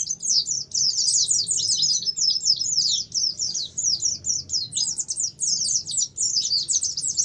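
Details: Oriental white-eye lure song in the ngalas style, played so pet white-eyes start singing: a long, unbroken stream of very high, fast, jumbled twitters and chirps with no pauses.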